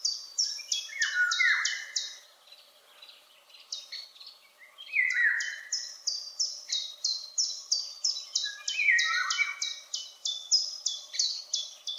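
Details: Eurasian golden oriole singing very high up and far away: three short, fluty, slurred whistled phrases, each sliding downward. Another bird keeps up a steady run of sharp, high, clipped notes throughout.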